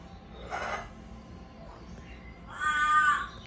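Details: Captive pet African grey parrot mimicking a yelled "Mom", a call learned from the owner's daughter, who used to yell it; the owner answers. A short hoarse sound, then a louder drawn-out harmonic yell near the end.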